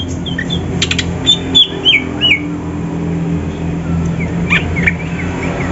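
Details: In the morning, a greater green leafbird, Banyuwangi or Sumatran type, sings bright, slurred whistles swooping up and down in quick short phrases, with sharp clicks over a low hum, as training for a song competition.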